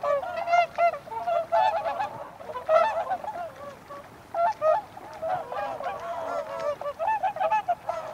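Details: Whooper swans in a group, calling with many overlapping nasal, bugling honks that rise and fall, bursts coming in quick clusters with brief lulls between them, several birds answering one another.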